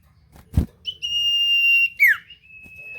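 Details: Common iora lure song to trigger replies from other ioras: one long, steady, pure whistle held for about a second, then a sharp downward-sliding note and a softer level tone, after a brief knock.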